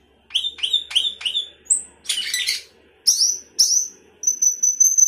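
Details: Sooty-headed bulbul, 'gacor isian' song: four quick upslurred whistles, a high thin note, a harsh scratchy burst, then two piercing descending whistles and a fast series of very high tinkling notes.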